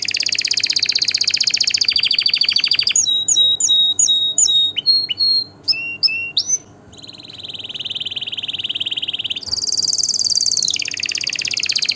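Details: Canary song opening with a rolling trill, then crisp repeated whistled and swooping notes, followed by sustained buzzy rolls at two pitches.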